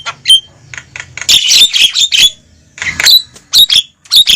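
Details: Raucous Javan myna calls meant to pull wild birds close to a trap: grating, buzzy squawks in short clusters, separated by brief pauses, with thin whistled notes mixed in.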